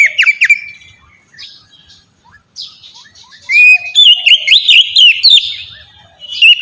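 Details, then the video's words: Oriental magpie-robin ngeplong song, a lure to get young magpie-robins singing: brief whistles, a quiet soft-note gap, then from three and a half seconds strong rising and falling whistles with sharp clicks. "suara burung kacer ngeplong merdu sangat ampuh buat pancingan kacer bahan bikin cepat gacor"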